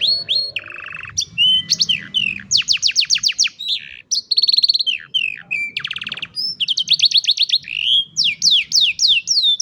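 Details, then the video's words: Training song for young canaries, phone-recorded: bright whistled notes alternate with rapid repeated sweeps and dry rattling rolls, switching tour every second or so, loud and clear throughout. "Mejor Entrenamiento Para Jóvenes Canarios | Canary Singing"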